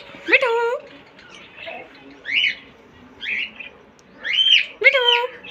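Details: Pet green parrot talking: several separate voice-like utterances with rich harmonic tones, some sliding up and down, spaced by short pauses, in a quiet room.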